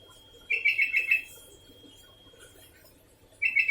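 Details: Continuous calling of a sooty-headed bulbul: a quick string of five chirpy, bubbling whistles in under a second, then quiet low hum, then the next phrase beginning at the end.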